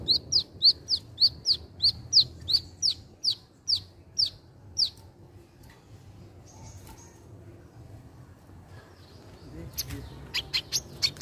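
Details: Wiceh bird singing: a quick series of about a dozen sharp, high chirps at an even pace for five seconds, a quiet pause, then a fresh burst of bright, clipped notes at the end.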